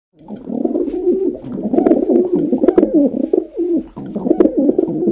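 A pigeon coos continuously in low, throaty, rolling phrases that swell and fade, with a short break near the end; the sound is close and slightly roomy.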